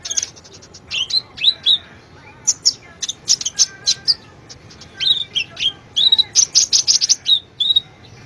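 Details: Kolibri ninja sunbird singing strongly as a master recording for cage-bird training: sharp high-pitched chirps, quick downslurred notes and rattling twitter bursts in irregular sequence, ending in a rapid run of repeated high notes.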